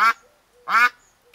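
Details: Newly delivered domestic ducks kept in an enclosed garden run, one of them a loud female: two harsh, nasal quacks about 0.7 seconds apart, otherwise quiet.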